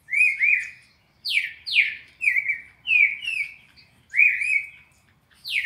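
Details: Classic four-note song of a red-crested cardinal, played to teach captive birds: bright slurred whistles alternating with sharply descending sweeps and level paired notes, phrases repeating roughly every second in near silence.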